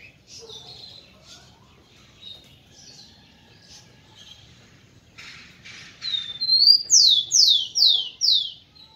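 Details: Kept rufous-collared sparrow song meant to excite females, opening with soft scattered chirps, then a rising note leading into four loud, downward-slurred whistles repeated about once a second, with faint higher notes above.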